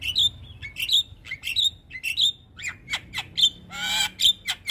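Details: Javan myna, a cage bird, recorded as training material for other birds: harsh squawking notes and sharp chirps at a fast, uneven pace, with buzzy bursts between them.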